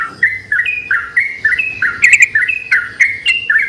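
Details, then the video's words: Yellow-vented bulbuls singing energetically and answering each other, as a lure recording: short bubbly whistled phrases, each stepping up or down, repeated about every third of a second, with a faint low hum beneath. "pancingan burung trucukan gacor saling bersautan"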